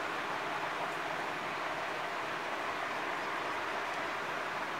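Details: Steady, dense broadband rumble and hiss, like a passing train or vehicle, runs through the whole recording with no animal calls.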